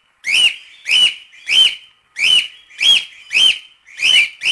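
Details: Cockatiel singing, used as a training recording to teach chicks to sing: loud, harsh whistled notes with a bright upswept peak, repeated about every half second in a steady series of seven.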